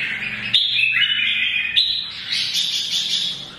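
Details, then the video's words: Old wild-caught red-whiskered bulbul giving its morning song to provoke fighting: a continuous, bright warbled stream of high chattering and whistled phrases with abrupt shifts in pitch. "CHÀO MÀO | Già rừng hót sáng hót đấu kích chim"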